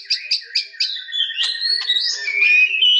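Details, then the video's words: White-rumped shama (murai batu) giving a short phrase: four quick sharp notes, then a smooth rising whistle and a clear sustained, wavering whistled note. "Suara burung murai batu"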